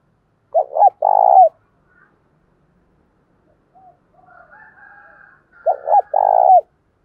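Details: Decoy spotted dove calling wild doves to coo back in contest, with two phrases about five seconds apart. Each is a stuttered lead-in and a rolling coo. Softer, higher faint calls sound in between.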